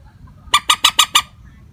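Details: Common moorhen call used as a lure for bird trapping, an unvaried calling phrase: five harsh, clucking notes in quick, evenly spaced succession, then silence over a low background rumble.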